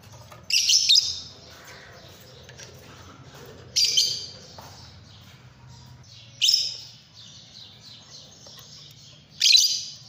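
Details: Shrill squeaky bursts from a Fischer's lovebird, four harsh high screeches spaced roughly every three seconds, each short and fading, with low steady background hum between calls.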